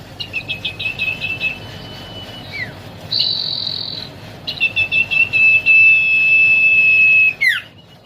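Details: Young common iora, described as a promising singer: fast stuttered high whistled notes, a brief buzzy burst, then rapid pulses running into a long steady high whistle that ends in a sharp downward slur. Faint low background hum.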